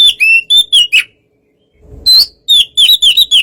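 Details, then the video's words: White-rumped shama, kacer, in a relaxed song played to provoke a reply from another bird; clear whistled notes sliding down, a silent gap, then a fast run of bright repeated whistles. "suara kacer santai memancing kacer yg kurang emosi/Fightr"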